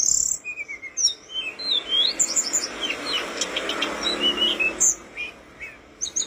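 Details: A mountain flowerpecker, recorded as a tutor song for training other birds, sings thin, high, twittering notes: quick sharp chirps and short slurred whistles in a busy, continuous stream, with a faint background hiss.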